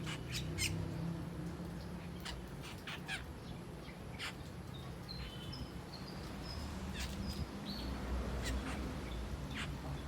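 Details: Several Asian glossy starlings feasting on ripe papaya give sharp clicks and brief, high, metallic whistles scattered through the clip over a constant low rumble.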